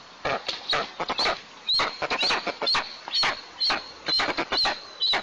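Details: White-tailed eagle at its nest in southeast Tatarstan, 5 April 2024, around the first food delivery, caught by a nest camera: a steady series of sharp, harsh yelping notes repeated about twice a second, with rustling nest noise.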